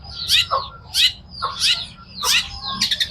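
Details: Long-tailed shrike singing in full voice: harsh, scratchy notes sweeping down from high to mid pitch, given in bursts roughly every half second, ending with a quick run of thin high ticks.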